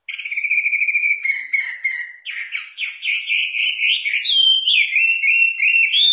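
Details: Singing Chinese hwamei, native to southern China, pouring out a continuous warbled song: trilled whistles at first, then quick rising and falling phrases that climb higher toward the end, heard clearly alone.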